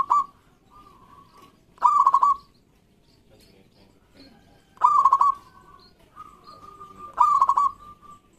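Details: Local zebra doves calling back and forth as a lure for birds that have stopped singing: three rattling, rolling coo bursts, roughly three seconds apart, separated by softer, level coos from a more distant dove.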